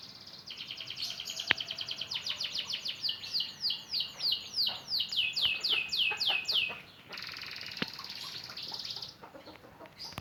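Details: Young canary practising song after moulting: a long run of repeated downward-sweeping whistled notes speeding up, followed by a thin buzzy trill, over a hissing background with a couple of sharp clicks.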